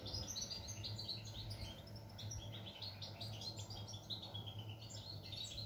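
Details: European goldfinch singing, recorded 11 July 2020: a fast, continuous tinkling twitter of short high notes and trills running without pause, over a steady low mechanical hum.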